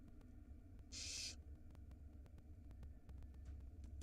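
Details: Barn owl nestling at feeding time in a nest box in Israel, hatched March 2022: one breathy hissing screech about half a second long, followed by quiet hum and faint clicks.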